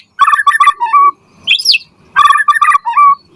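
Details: Murai batu song used to make shamas respond and learn: a rich, low, warbled phrase of stacked notes ending in a clear whistle, a high rising squeal, then the same phrase repeated.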